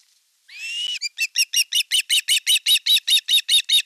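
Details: At an osprey nest in Satakunta, Western Finland, 5 August 2024, during a fish delivery when the elder chick attacks the younger: one long rising whistled note, then a steady run of about fifteen piercing chirps.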